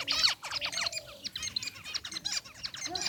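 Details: Zebra finches chirping in an aviary cage, a mixed white and gray group: a steady stream of fast, slurred nasal chirps and twittering notes from several birds at once.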